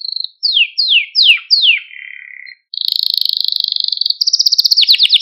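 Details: ['Malta canary song used to stimulate and excite canaries and to train young canaries: four quick descending whistled sweeps, a low buzzy note, then a fast steady trill and a higher rolling trill.']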